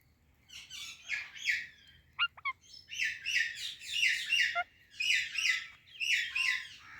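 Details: Rose-ringed parakeet, a ringneck parrot, chirping in dense bursts of bright, harsh, raspy notes grouped in clusters about a second long, with a few short sharp clicks between them, over faint low background noise.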